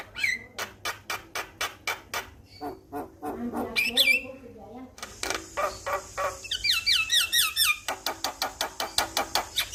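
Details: Male Javan myna song meant to start other mynas singing: regular dry clicks, mid-song whistles and scratchy notes, then a quick series of looping whistled phrases over steady clicking.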